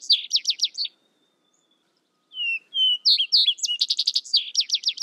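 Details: Vesper sparrow song: the tail of one rapid trilled phrase, a pause, then two low slurred whistles followed by a run of quick, high, buzzy trilled notes.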